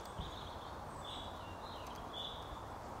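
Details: Eurasian bullfinches, a male and female, in the wild at the end of May near Zvenigorod Biological Station, Moscow region, giving soft, high piping whistles: four short notes about half a second apart over steady low rumble.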